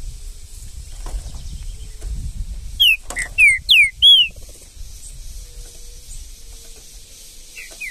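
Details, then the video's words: Saltator (trinca-ferro) in the bush sings a quick phrase of four loud, clear whistled notes, each sliding down, then two softer notes near the end, over a low background rumble. "trinca ferro no mato"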